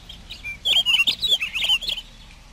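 A Pine Grosbeak sings a quick, sweet warble of clear, rising and falling whistled notes, high-pitched and run together for about a second and a half.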